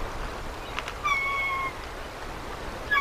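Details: Bald eagle call at the nest on the morning of March 24, 2024, as a newly hatched chick of about three ounces gets its first feeding of trout from the adult female. Two thin, steady whistled tones held about half a second over soft background hiss.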